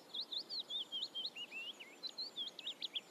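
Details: Eurasian reed warbler song, a steady chattering string of short notes, some whistled and some harsh. The notes come in quick succession, about four per second, over a soft, even background hiss.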